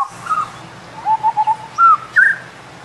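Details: Indian scimitar babbler calling: a series of clear, mellow whistled notes, one short note, then three quick lower notes, followed by two louder rising whistles near the end, over a low rumbling hum.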